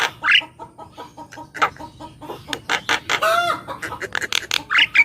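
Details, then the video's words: Song of a Javan myna, played to lure birds and prompt quiet ones to sing: harsh chattering notes and clicks, a wavering descending slurred phrase midway, and a few short squeaky whistles. "Suara Burung Jalak Kebo Gacor"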